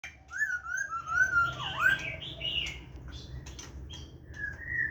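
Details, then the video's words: Laughingthrush singing its wild-style song, recorded 29 September 2023: clear whistled phrases that glide and swoop downward, loudest early on, then a quieter whistle near the end over low background rumble. "khướu hàm rồng hót giọng rừng"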